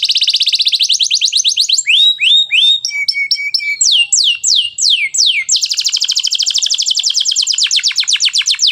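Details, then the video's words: Canary singing vigorously in the gacor style with richly ornamented cengkok mewah phrasing: a dense high buzzy trill, then clipped rising chirps and a sustained lower note, sharp falling whistles, and a long rapid rattling trill at the end. "Canary AF gacor cengkok mewah"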